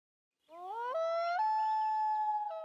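A loon's long, pure wail climbs in steps from a low note to a higher, steady tone and holds there for about two seconds. No other sounds.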